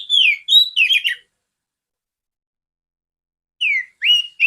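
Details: Female oriental magpie-robin, used to train other magpie-robins, giving a few clear downslurred and rising whistles, a long silence, then two more whistled notes.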